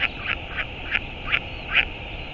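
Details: Northern royal albatross at the nest in New Zealand, 11 March 2022, during a return and departure: five short, harsh, nasal notes spaced roughly a third to half second apart, against constant wind hiss.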